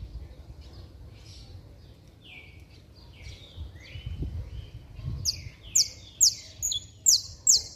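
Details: Saffron finch singing hard, a recording meant to stir up other saffron finches; soft slurred notes at first, then a fast run of loud, sharp, high chips sliding downward, about two per second, over faint low background hum.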